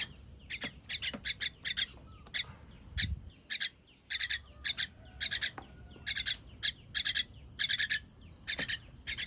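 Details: Baby bird calling for food while fed on 18 June 2023, grouped raspy chirps in pairs and triplets across the whole stretch, a soft low thump near the third second.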